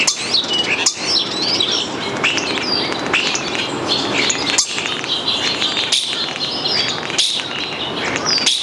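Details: Starling by its nestbox in May giving a busy, varied song of quick chirps, rising whistles and clicking notes strung together almost without pause, with short dry rattles and a constant hiss behind.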